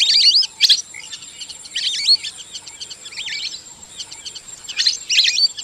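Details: Lesser whistling ducks (Dendrocygna javanica) give thin, high whistled calls in quick bursts of several notes every second or so, over a steady high insect-like hum.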